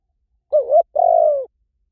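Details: A single two-part coo from a spotted dove, used for luring: a quick dipping, wavering note followed by a sustained mellow hoot that gently falls at the end. No other sounds.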